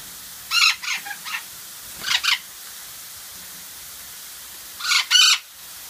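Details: Kept golden parakeets beside a rainbow machine give a burst of three or four grating squawks, then a single harsh double note, and after a pause a loud pair of rasping screeches, with a faint background hiss.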